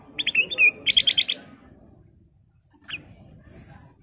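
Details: Ruby-throated bulbul in full song: a quick run of rich warbled notes followed by four or five fast pulsed chirps, then quieter with one short high note, over low background rumble.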